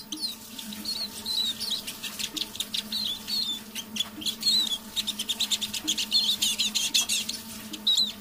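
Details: Eurasian siskin, a captive decoy bird, singing softly in the evening; a long string of rapid twittered notes, looping whistles and short trills, with a quiet electrical-sounding hum underneath.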